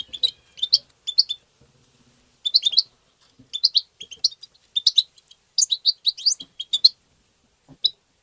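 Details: A goldfinch sings in the tabta style used to excite other goldfinches, giving tinkling, rapid twitter phrases repeated in groups of three or four notes, with sliding high whistles between brief pauses.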